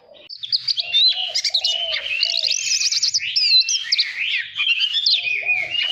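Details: White-rumped shama, a cage bird, in training song meant to spark competitive singing: dense, continuous whistled phrases with fast trills and sweeping slurs, punctuated by short low mellow notes.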